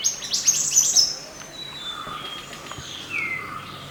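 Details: Mountain white-eye from nature, a master recording for training other birds: quick high chirps for a second, then drawn-out thin whistles sliding down in pitch, with a faint low hum.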